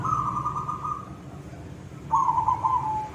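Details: Silver zebra dove in koong-style song, with one steady cooing trill ending and a second phrase starting with a clipped note followed by a wavering purr, all at a single middle pitch.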